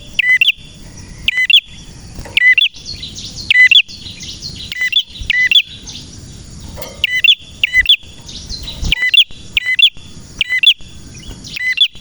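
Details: Gacor song of a male prenjak merah (prinia). It gives a long run of crisp, high, repeated chirp clusters, roughly one burst per second, some doubled. A wavering high tone and low rumbling noise fill the gaps.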